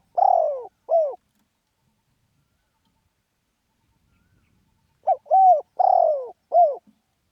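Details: Khan yon cooing of a spotted dove in Thailand, rich descending coos in groups of two, then four, with a few seconds of silence between bursts.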